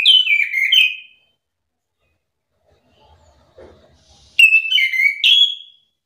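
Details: Anis kembang (chestnut-capped thrush) song played as a trigger for other birds to answer: two separate bursts of rich, descending whistled notes with a long quiet gap and faint low rumbling between them.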